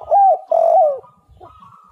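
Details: Spotted dove song played as a lure for other doves: a short, loud, mellow two-part coo that slides downward at its end, followed by a fainter steady hum.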